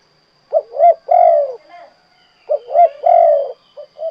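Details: Spotted dove (derkuku, tekukur) giving its 'kuk 2' style song. Two short, clipped coo notes are followed by a longer, drawn-out falling coo, and the phrase is repeated twice in close succession.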